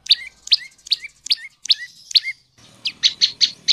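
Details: Tailorbird (prenjak lumut) lure song for prompting male and female tailorbirds to sing; evenly spaced sharp high chirps, each followed by a short lower whistled tail, then a quicker run of bright chirps over faint rustling.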